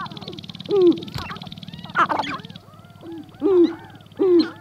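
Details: About thirty male sharp-tailed grouse displaying on a lek north of Great Falls, Montana, on an April morning; loud descending nasal hoots and clucks at intervals over a rapid low pattering drone, with high chattering notes.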